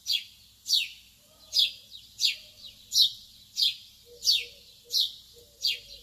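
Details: Lovebirds tweeting early in the morning: a steady run of about nine bright, falling chirps in six seconds, with faint soft lower notes toward the end.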